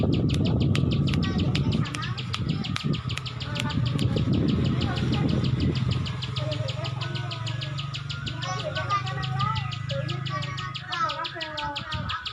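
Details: Ciwah, or Plain Prinia, ticking rapidly in a sustained klik-klik series of sharp clicks, while low rumble and the warbling phrases of another bird fill the background.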